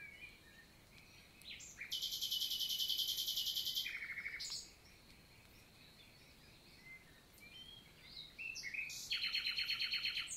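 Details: Common nightingale singing on a June morning in the Célé valley forest, Lot, France: a long harsh buzzing phrase, a quick low trill, then after a pause another buzzy rattling phrase of rapidly repeated notes.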